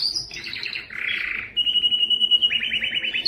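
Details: Canary song meant for training other canaries: fast high trills sliding down into a buzzy low roll, then a sustained whistled trill and a run of quick descending notes.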